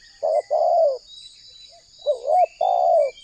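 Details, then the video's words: Indonesian spotted dove used as a lure for wild doves: two coo phrases, each a brief note and a longer mellow falling one, separated by a pause with faint thin chirps. "TEKUKUR GACOR Suara Merdu"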